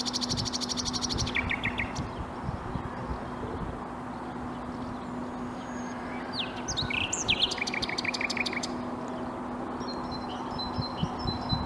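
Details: Song of a common nightingale, Bursa, Turkey, 14 April 2021: a very high, buzzy rattle, then short repeated notes, a pause, and a burst of harsh rapid chatter and evenly repeated notes, over steady low hum.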